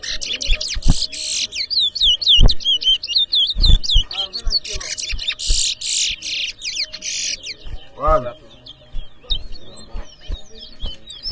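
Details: Competition towa towa (chestnut-bellied seed finch) at Edinburgh Village, Guyana, 2023: fast chains of looping whistles and long buzzy blasts for about seven seconds, then quieter scattered notes, with people speaking and knocking sounds.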